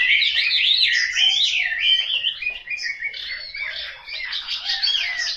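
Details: Chinese hwamei, a caged bird kept at home in Hanoi, Vietnam, giving a dense, loud song of slurred whistles and fast chattering warbles, slightly softer in the second half.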